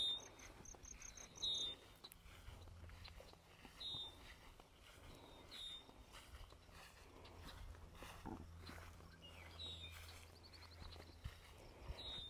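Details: Red-winged blackbirds nesting on a burned-managed prairie in bloom give sharp, high clucking notes every second or two, some with a brief whistled edge, while diving at people near their nests, over wind rumble and footsteps.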